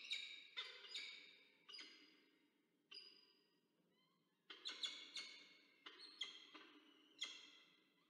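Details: Peregrine falcons at a nest in Orange, New South Wales, Australia, on 22 October 2024, during a food delivery by the male while the female feeds two chicks; about ten sharp, grating, harmonic cries come in bursts, separated by short pauses.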